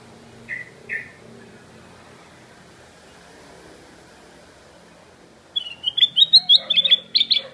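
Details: Black-crested bulbul calling loudly: two short, separate chirps early on, a long quiet gap, then a fast series of sharp, rising and falling chirped notes.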